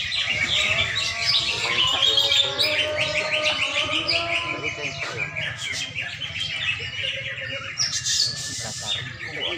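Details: Greater green leafbird (cucak ijo) trained for bird-singing competitions, delivering fast, varied chirping phrases, short whistled notes and rattling trills, while faint human voices sound underneath.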